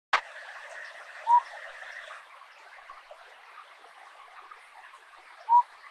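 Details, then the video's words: A Blue-throated Motmot (Aspatha gularis) near Union Juarez, Chiapas, Mexico, gives two short, mellow hooted notes about four seconds apart over a steady hissing, buzzy insect background. "Blue-throated Motmot Calling"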